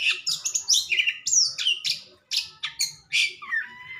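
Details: Caged Oriental magpie-robin singing just after its cage cover is removed. Bright whistled phrases mix with scratchy, buzzy notes and short slurred glides, and a faint low hum sits beneath.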